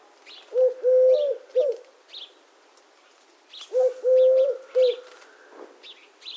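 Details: Low short-long-short coos of a Eurasian collared dove (Streptopelia decaocto), two phrases about three seconds apart, over scattered high chirping of small birds outdoors.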